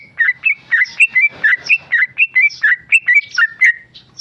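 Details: Tame male sooty-headed bulbul singing in the rapid ropel style: about sixteen short, bright whistled phrases, each dipping then rising, delivered in a quick, steady run.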